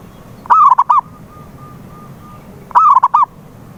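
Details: Zebra dove calling as a lure for a silent dove: two clipped cooing phrases with a slurred start and stuttered ending, linked by a thin run of faint, even tones in the quiet gap.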